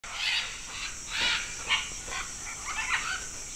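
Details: About 100 macaws at a natural clay lick in Manu National Park, Peru, feeding for their daily nutrients, give harsh, raspy squawks in a rough series with several birds overlapping, over a steady high insect hiss.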